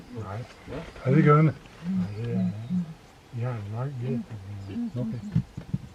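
Ground hornbill giving deep, booming, guttural hoots in short bursts, some drawn out and wavering. Human voices may be mixed in.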